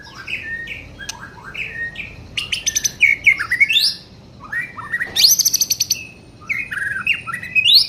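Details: Juvenile white-rumped shama in full song, mixing clear slurred whistles with quick stuttering rattles and harsh buzzy bursts, phrases repeating every second or two, rich and varied, with little background noise.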